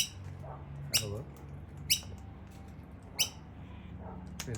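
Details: Wild noisy miner in Australia around 5 pm at sunset, about 25–26°, near cockatoos that dislike noisy miners, giving sharp, high chip-like notes about a second apart, with low hum and faint voices.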